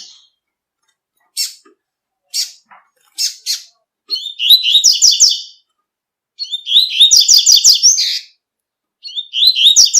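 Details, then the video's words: Tui tui song of a double-collared seedeater in nature. Several sharp, high single chips lead into three rapid warbling phrases, each about a second and a half of bright rising and falling notes. "COLEIRO TUI TUI CANTANDO NA NATUREZA"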